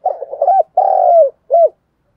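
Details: Spotted dove calling 'thúc gù' with an earthy voice to lure wild doves: a stuttering run of low notes, a long sustained coo dropping at the end, then a short arched final coo.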